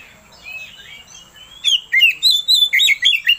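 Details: Oriental magpie-robin song to provoke another kacer into singing: soft slurred whistles, then a lively run of loud rapid chirps.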